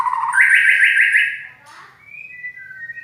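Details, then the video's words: Loud, harsh-voiced song of a white-rumped shama, praised as a champion bird. A rapid buzzy trill rises, then fades. Thin, high, level whistles follow, with a low hum in the background. "Kicau murai Batu,Suara kasar"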